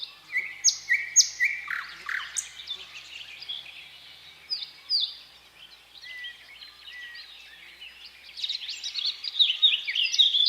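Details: Thrush nightingale singing in strong, varied phrases separated by pauses: high clear whistles, quick falling notes and rattling bursts. A quieter stretch sits mid-way before a dense, loud passage at the end.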